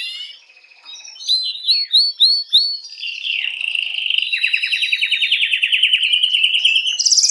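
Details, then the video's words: Canary singing to excite females for mating. Soft opening, then a few sharp separated chirps, followed by a long rapid rolling trill that grows louder and ends in a high buzz. "تغريد كناري"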